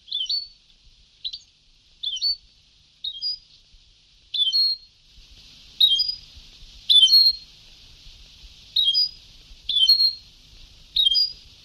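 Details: European goldfinch song from an old Sebtawi tape: a lively run of about a dozen sharp, high twittered phrases in quick succession, with faint hiss rising midway.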